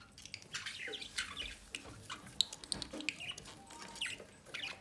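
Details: Pet budgerigars, a pair of parents feeding one of their chicks at the nest entrance; dense run of short, scratchy high chirps and squeaky notes, irregular and overlapping, with soft rustling throughout.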